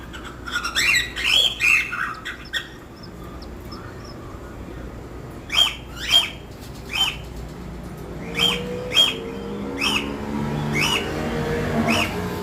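A two-day-old cockatiel chick gives raspy, squeaky begging peeps in uneven bursts.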